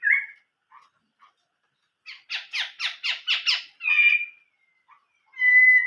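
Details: Chinese hwamei singing in old forest, described as a wild-forest voice: a short whistle, then a rapid series of about seven harsh buzzy notes and a rich warbled phrase, ending on a sustained clear whistle.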